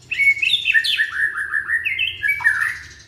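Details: Young white-rumped shama from Indonesia, song intended to stimulate other shamas to sing: loud continuous chain of short whistled slurs stepping downward, then rising again.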